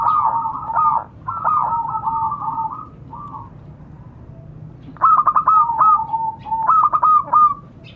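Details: Zebra dove, local bird, calling to companions: rolling, trilled coo phrases, then a pause and two sharper stuttered bursts of quick staccato notes.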